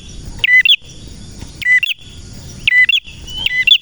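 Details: Lively male red prenjak singing, used to coax and train other prenjak: short, sharp whistled phrases, each dipping then rising, repeated about once a second with quiet gaps between, faint low hum beneath.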